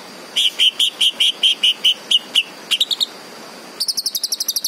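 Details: Green leafbird singing a series of about eleven evenly spaced whistled notes, then a few quick rising notes, then a rapid high trill.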